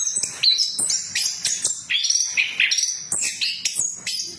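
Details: A short, lively burst of orange-headed thrush lure song for birds that will not sing: sharp high whistles and chirps, each note sliding briefly, delivered rapidly one after another.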